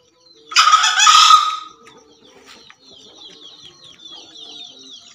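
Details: Javan green junglefowl, two males, crowing: one loud, hoarse, broadband burst lasting about a second, with a steady tone held under its noisy top, followed by faint chirps of small birds in the background.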